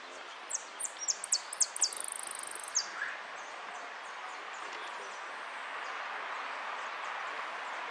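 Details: Saffron finch (jilguero) singing in a competition at Irupe on 3 January 2016, entered as a yellow 'sin cierre' bird; a burst of sharp, high chirps and a rapid trill over about three seconds, then steady background noise.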